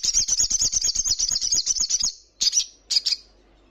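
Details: Little spiderhunter, a female calling for a male: a two-second run of rapid high chattering notes, followed by two short sharp double chips.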